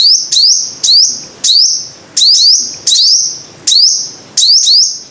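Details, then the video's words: Five-coloured sunbird giving piercing upslurred notes, single or in quick pairs, each ending in a short high ringing tone, spaced about half a second to a second apart. "Tiếng chim hút mật 5 màu"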